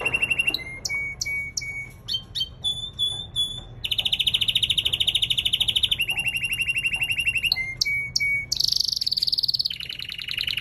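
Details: Singing-training male canary: a run of sharp separate whistled notes gives way to long, very fast rolling trills at changing pitches, ending on a higher buzzy tour, with a low steady hum beneath.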